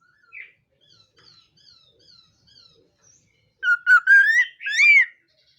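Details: ['Laughingthrush in morning song training, meant to spur other birds to sing. Soft, thin high notes give way to a run of loud warbling whistles that rise and bend, ending in an arched whistled phrase.']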